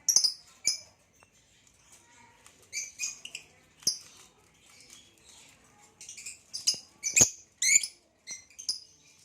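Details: Caged male hybrid lovebird, looking like a Lilian's (Nyasa) lovebird but with a purple rump, and a Nyasa lovebird: bursts of shrill high chirps and squeaky notes in irregular clusters, with short gaps and sharp clicks between.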